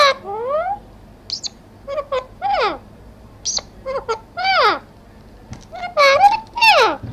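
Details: Talking parrot in an Urdu or Hindi setting producing a busy string of varied notes: sliding whistles that rise and fall, harsh falling squawks and short clipped syllables, roughly one burst every second.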